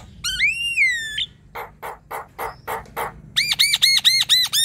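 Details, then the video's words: Black-winged starling, a young bird, singing a varied, lively song: a long whistled note falling then rising, then a series of harsh broadband squawks, ending in rapid repeated arched whistles. "Suara jalak kebo gacor | Masteran jalak kebo muda / bahan"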